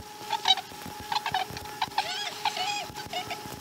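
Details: Chesapeake osprey nest at morning feeding, 2019 12 12: a busy patter of short, soft, twittering chirps and squeaky notes in quick irregular bursts, with a constant faint hum beneath.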